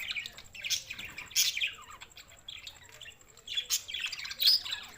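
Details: Budgerigars on 7 June 2024 giving scattered sharp chirps and short descending warbled notes, sparser and quieter than a full chorus.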